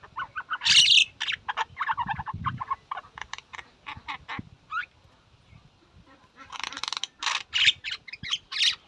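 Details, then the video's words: Common myna (shalik) giving a jumble of harsh, chattering and gurgling notes mixed with squeaky whistles, in bursts over several seconds; a low rumble sounds briefly. "শালিক পাখির ডাক The call of the Shalik bird"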